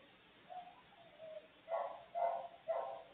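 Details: Nestling maritaca parrot inside the nest, recorded live by a nest camera: two soft, low, drawn-out notes followed by three louder, raspy, nasal calls in quick succession, with light background hiss.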